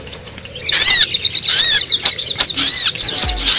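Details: Sogon, or Brown-throated Sunbird, on a luring track for wild birds: bursts of loud, high arched chirps and twittering, separated by short gaps, one faint low knock at the end.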